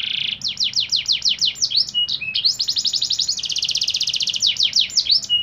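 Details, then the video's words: Canary song played to train caged birds to sing: dense, loud high trills of rapid repeated notes, a long buzzy rolling phrase in the middle, interspersed with short whistled slurs and fast descending note series. "MASTERAN PALING DI CARI! KENARI LAGU MEWAH!!"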